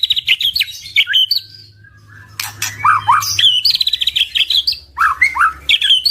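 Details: White-rumped shama song used to prompt other shamas to sing: rapid trilled phrases near high pitch mixed with lower slurred rising notes, brief pause mid-clip, then repeated rattling trills and swooping whistles, faint low hum beneath.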